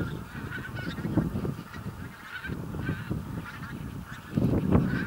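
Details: Flock of several thousand bean geese on a field, Texel, Netherlands, 22-11-2014; constant layered honks and cackles, louder near the end, with low-pitched rumble throughout.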